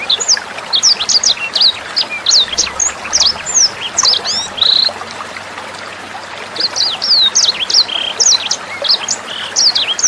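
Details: Sanger bird tutor song with water sounds, meant for teaching caged songbirds. Busy high chirping and whistled slurs fill the first half, a short lull with trickling water follows, then twittering returns.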